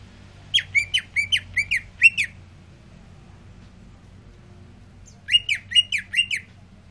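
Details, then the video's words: Cooling down after sunbathing, a greater green leafbird gives two bursts of rapid, sharp downswept whistles, about six notes each, separated by a three-second pause, faint background hum. "Cucak ijo rajin bunyi"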